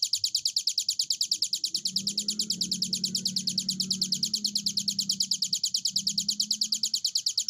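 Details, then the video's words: Hill prinia in sustained song, quick high chips repeated at an even, rapid pace throughout, over a noticeable low droning hum in the background. "burung ciblek gunung durasi panjang gacor"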